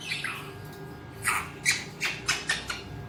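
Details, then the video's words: Indoor pet Alexandrine parakeet calling with short, loud, scratchy squawks, about six spaced bursts over three seconds after a soft descending note. "Alexandrine talking parrot"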